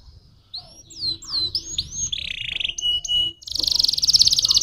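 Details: Canary singing a stimulating song, with a series of curling upward-hooked whistles, a buzzy burst and steady flat tones, ending in an intense rapid high trill that grows louder.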